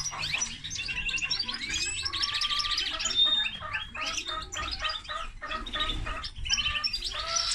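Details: Hybrid of common linnet and canary in full song: varied chattering phrases, a sustained trill near the middle, brief pure whistles and rapid clicky notes packed together over a faint low rumble.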